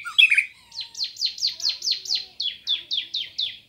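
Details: White-rumped shama master recording from Indonesia, used to train birds: a few quick high notes, then about eleven buzzy, downslurred high notes repeated evenly roughly four per second.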